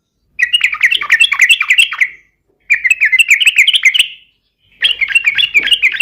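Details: Fighting song of a yellow-vented bulbul, used to bait a rival into responding: three long bursts of warbling, jumbled chatter, each about two seconds, with brief silences between.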